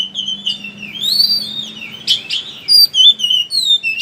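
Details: Oriental magpie-robin, ngeriwik-style lure to make birds sing: mostly sustained wavering whistles sliding up and down, broken by a couple of harsh burry notes and short chirps near the end, with faint hum.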